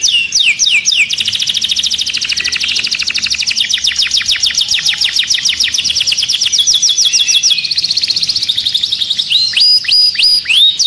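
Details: Canary singing to activate other birds for mating. A few swooping whistles open into a long, continuous run of rapid trilled notes that shift in speed and tone, ending with sharp repeated falling whistles.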